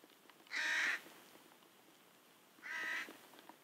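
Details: Ravens and crows screaming around as two large bears forage by a pond in Kuhmo, Finland, near the Russian border: two harsh, hoarse caws about two seconds apart over quiet outdoor background.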